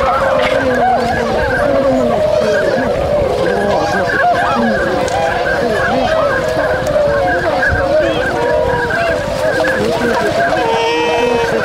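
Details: Swans at a wintering site in Inzai, Chiba, Japan, waking and starting to move on 16 January 2022: a dense, continuous chorus of overlapping honking calls from many birds, with possible human voices mixed in.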